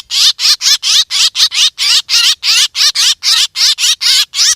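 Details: Black drongo calls recorded as a hunting lure: a fast, steady run of harsh, raspy high notes, about four a second, each a brief wavering burst, with no other sounds.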